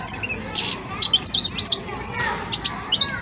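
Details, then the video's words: Young European goldfinch at the song-sorting stage of learning, giving a short run of high, thin twittering chirps and tinkling notes, with brief pauses between bursts. "جان مقنين ويداني في مرحلة فرز التغريد"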